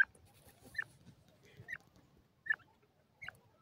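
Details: Francolin (teetar) feeding and playing, giving short, soft chirping notes spaced roughly a second apart over a low background rumble.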